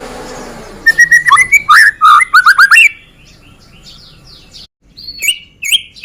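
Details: White-rumped shama from Medan, a lure recording to provoke other birds to sing; a loud rapid burst of whistled and trilled notes for two seconds, then faint distant phrases and a few high whistles.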